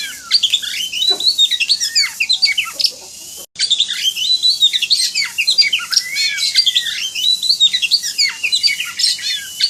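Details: Oriental magpie-robin in high emulsion, a training recording: a fast, continuous medley of high chirps, squeaky whistles and sweeping notes with a brief break partway through.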